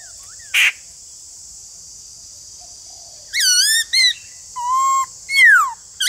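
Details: Song of a white-cheeked laughingthrush: a short burst, a pause, then a series of varied clear whistles, some flat and some sliding down, over a constant high hiss.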